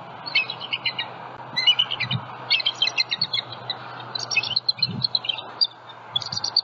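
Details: Bald eagles at a nest with eggs in Southwest Florida on a February morning, a juvenile flying over the nest; high, thin chittering notes in quick uneven bursts, several runs spread through the stretch.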